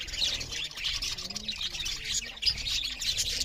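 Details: Several budgerigars chirp loudly while eating, a dense, continuous chatter of high, scratchy twitters and warbles overlapping with no pauses, with a faint low hum beneath.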